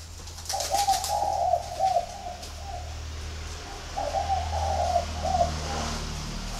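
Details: A flock of spotted doves kept at a bird garden near Hanoi in Ba Vì, Vietnam. Two hollow, rolling three-note coo phrases about three seconds apart over a steady low mechanical hum.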